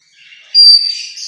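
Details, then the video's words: A pet talking grey parrot on a Sunday morning gives a brief, piercing high whistle, then a rougher, breathy burst of high sound. Nothing else is clearly heard. "My Talking Grey Parrot"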